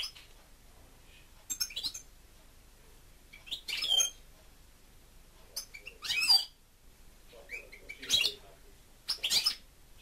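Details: Indoor pet European goldfinch (sticlete) delivering harsh, buzzy bursts of song, each about half a second long and repeated every one to two seconds, in an otherwise quiet room.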